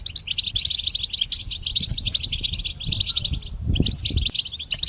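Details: Goldfinch song for tutoring songbirds: sprightly high twitters and jingling trills in quick runs, with a short gap past the third second and some low rumbling noise beneath.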